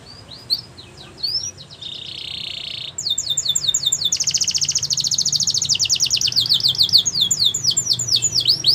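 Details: Belgian canary, a yellow canary, singing: a long varied song of high chirps, a buzzy steady trill, then rapid repeated sweeping notes and fast rolling trills continuing to the end.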